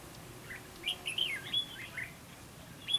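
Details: Red-whiskered bulbul serving as a decoy in a fighting trap, giving a short run of sharp, bright chirped notes midway, with scattered single calls around it in a quiet outdoor setting.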